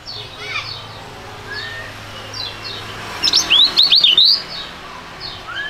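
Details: Young songbird, one of a duet pair of fighting type, gives a loud, fast run of high whistled notes that zigzag up and down for about a second, over softer distant chirps and a low hum.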